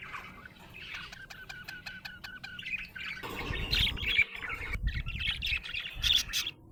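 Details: A happy budgerigar opens with a rapid series of evenly spaced ticking clicks, then breaks into loud buzzy warbling chatter and squeaks, with a low hum beneath.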